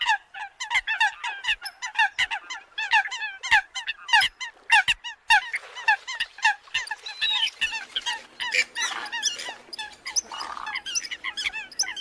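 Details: A gathering of Eurasian coots in the new bird migration season: steady rows of short honking notes from many birds, briefly a lower nasal murmur beneath, with occasional clicks.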